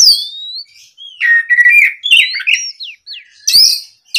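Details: Oriental magpie-robin in energetic full song, provoked by a rival bird: clear rising and slurred whistles between 2 and 5k, interspersed with sharp harsh chips and brief buzzy bursts, phrases coming in quick irregular runs.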